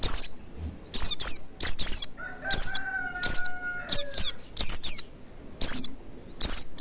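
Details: Oriental white-eye lure song to make the bird sing: sharp high chirps sweeping downward, mostly in quick pairs and triplets at irregular intervals, with a faint steady whistled tone in the middle.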